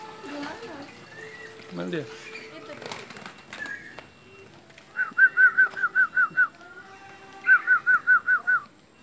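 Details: Friarbird of the Papuan form, locally called koak, returning to a perch overhead: after a man talks, two bursts of six to seven evenly spaced, ringing, bouncy notes follow in quick succession.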